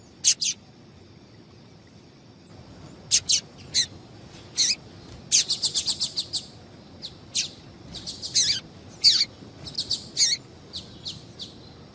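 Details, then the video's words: Female double-collared seedeater calling to set males singing: an active series of sharp, high chirps, given singly and in rapid clusters, fairly dense through the middle, with a steady faint hum behind. "Faça o teste com Esse Piado de Fêmea de Papa capim é Seu Papa capim Vai Ficar Cantando RÁPIDO!!!"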